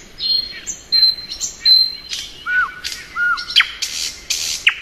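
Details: Singing in spring, a thrush nightingale gives long high whistles, two low slurred notes, then harsh, scratchy bursts and a sharp final click.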